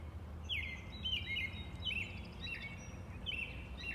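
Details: Robin calling outdoors with crisp downslurred chirps about twice a second, some notes doubled, over a faint low hum.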